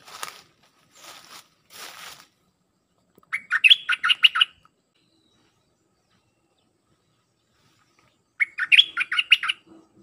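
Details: Red-whiskered bulbul, a song-training recording played to teach hand-fed chicks and young juveniles, with dense full phrases: two rapid bursts of about eight bright, chopped whistled notes, rising then dropping, six seconds apart, after three soft hissy rustles.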